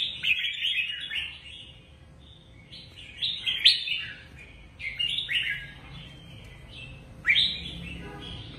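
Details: Lively song of a caged red-whiskered bulbul, meant to rouse caged birds: a string of loud, bright, chortling phrases with upslurred starts, delivered in bursts with short quiet gaps between them.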